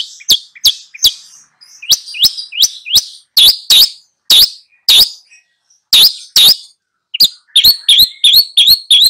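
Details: Long-tailed shrike teacher bird singing energetically to two pupils, delivering a steady string of harsh, rasping notes in irregular groups of two or three, ending in a faster, denser chatter.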